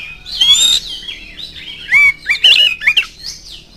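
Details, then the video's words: Oriental magpie-robin singing a lure song to draw out other birds: a drawn-out bright whistle, then a short run of slurred, rising and falling whistled notes with a few harsher chips. "PANCINGAN KACER GACOR"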